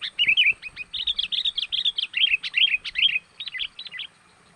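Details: Lure call of a sooty-headed bulbul, played to draw wild birds in. A continuous, fast chatter of bright chirps and warbled twists lasts about four seconds, then stops abruptly.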